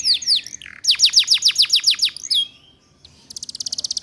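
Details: Atlantic canary female calling to lure males, ngeriwik lure for training young birds: a few falling notes, an even fast trill of steep downsweeps, a short pause, then a rapid high rattle.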